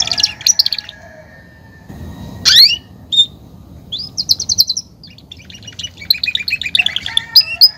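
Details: Male Belgian canary in a cage, campainha song for courtship and dominance: scattered high trills, a sharp rising squeal and bell-like rolls between quiet gaps, with faint background noise.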